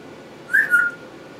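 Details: A pet parrot alone in her cage imitates the whistle her owner uses to call the dog: a short, bright whistled note followed by a slightly longer level one, over faint room hum.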